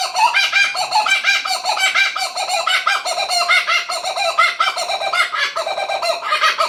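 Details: Lone kookaburra perched quietly in a tree near Tuggerah Lakes, Australia; loud raucous cackling laughter, harsh rapid pulsed hoots rising and falling in uneven bursts throughout.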